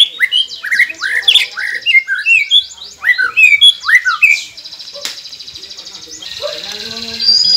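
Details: White-rumped shama song played to get silent caged birds singing quickly: rapid repeated rising and falling whistled phrases, a sharp click, then fading thin high tones.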